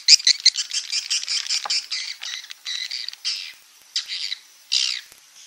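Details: Roosting call of edible-nest swiftlets, played to draw birds in: fast runs of harsh, high chattering chirps that slow into separate buzzy bursts with short pauses.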